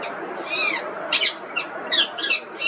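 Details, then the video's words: Rose-ringed parakeet, known as the Indian ringneck parrot, mixing a drawn-out ringing whistle with several rough, high squawks in quick succession over low background hum. "Indian Ringneck Parrot Voice Raw, Real & Relaxing"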